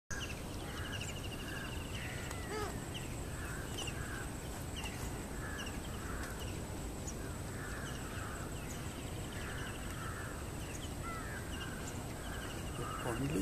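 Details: Ruddy-breasted crake in a marsh in Chennai gives short, hard notes repeated about once a second, with faint higher trills from other birds over a steady low rumble.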